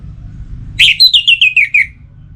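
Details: Orange-headed thrush kept for song contests in Singaraja, North Bali, singing vigorously in breeding condition to call a rival: a rising note, then seven clear notes dropping gradually in pitch, each with bright overtones; low hum below.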